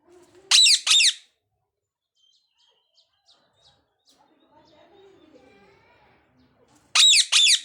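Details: Parrots calling: two loud, harsh, rasping squawks open the recording and two more close it, with only faint soft chatter in the quiet stretch between.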